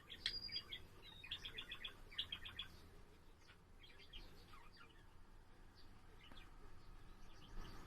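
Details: Pet budgerigar chattering at home, a quick series of chirps and clicks early on fading to softer scattered notes over a rumbling background noise.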